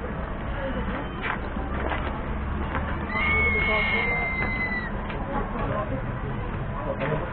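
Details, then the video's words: Crested serpent eagle giving a call: a single thin, drawn-out whistle nearly two seconds long, held level then sliding slightly down at the end, over steady traffic-like rumble and murmuring background noise. "Kicau Burung "Elang Ular Bido" Melakukan Panggilan"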